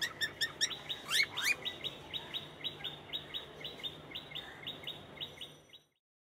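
Cockatiel giving rapid, high chirps about three per second, with a few rising whistled notes early on, over a soft background hiss.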